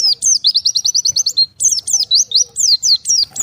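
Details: Oriental white-eye, separated from its flock and calling to others: rapid high, thin chirps in quick repeated series, one long run of even upswept notes, then a pause and a burst of varied descending slurred notes.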